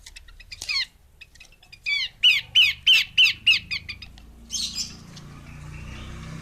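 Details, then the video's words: A female Horsfield's babbler gives a quick string of about eight harsh, strongly downslurred notes, evenly spaced roughly three per second, ending with a softer raspy hiss. "Burung Pelanduk Semak Betina"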